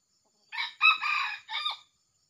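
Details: Junglefowl, which arrived with a young male, gives a single short crow during luring. Three parts: a brief opening note, a longer harsh middle phrase, and a clipped final note that bends downward. Otherwise quiet.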